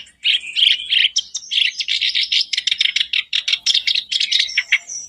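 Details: Continuous black-browed reed warbler song used as a daily lure for caged birds: an unbroken stream of harsh, buzzy, chattering syllables with varied pitch and a quick, jerky rhythm.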